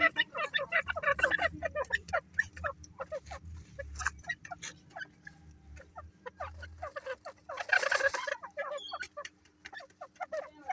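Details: Black francolin chicks in the breeding season, giving a dense, busy chatter of short clucking notes that overlap and rise in a loud burst near the end, over a steady low electrical hum.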